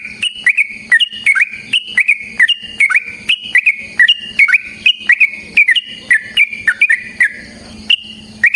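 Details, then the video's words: Yellow-vented bulbul delivering a long fighting song to lure and provoke rivals: a steady stream of loud, fluty whistles swinging between higher and lower notes in rapid repeated phrases, ending with a pause and a low background hum. "Suara Burung TRUCUKAN gacor TARUNG ROPEL PANJANG pancingan trucukan agar JADI trucuk gacor EMOSI"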